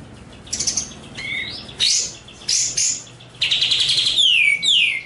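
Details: Eurasian tree sparrow (gereja cililin) contest-training recording, possibly mixed with sooty-headed bulbul: sharp high chirps and short whistles in bursts, a rolling chatter, and a final descending whistled slur; clean, no background sounds.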